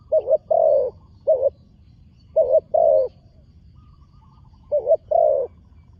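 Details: Low-pitched cooing from a young spotted dove in training, placed on a dirt competition ground for its first time: stuttered double notes, each followed by a drawn-out coo, repeated in three phrases over six seconds.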